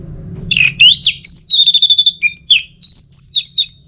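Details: Orange-headed thrush from Singaraja, Bali, sings a dense, fast run of high slurred whistles, chips and trills without pause. It is loud and close, used as a tutor to bring out the teler song.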